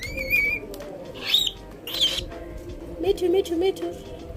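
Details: Pet cockatiel with its owner: a sustained high whistle at the start, two brief chirps, then a low warbling, word-like phrase late on, with background music and faint speech.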